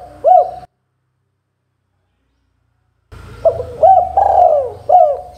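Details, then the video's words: Spotted dove song, a vocal bird's cooing used to make other doves answer. A short bowed coo sounds at the start, then after a pause several more mid-pitched coos follow in a quick, uneven series over a low hum. "Suara Burung Derkuku Gacor , Bikin burung Tekukur agar NYAUT bunyi"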